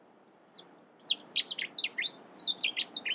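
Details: Cetti's warbler in the UK gives a single sharp note, then bursts into a loud, rapid run of about a dozen high, down-slurred notes, roughly five a second, over faint background hiss; song.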